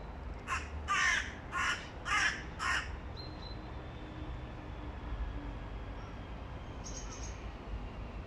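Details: A young male hooded crow whose voice is breaking, in August 2022, gives five hoarse, cracking caws about half a second apart, rough and uneven; a faint high chirp follows near the end, over low background rumble.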